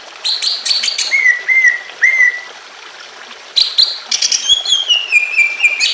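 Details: Emotional greater green leafbird singing with natural water sounds, meant to trigger other birds; high buzzy notes and descending whistles, a quiet pause, then rapid varied whistled phrases over a constant trickle.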